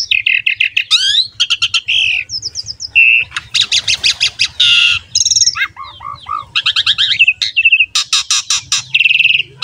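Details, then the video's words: Asian pied starling in full, lively champion song used to coax other starlings and songbirds into singing: dense runs of clicking, rattling notes mixed with harsh bursts and short whistled slurs, continuous for nearly ten seconds, with a faint low hum beneath. "MASTERAN DAN PANCINGAN BURUNG JALAK SUREN GACOR JUARA"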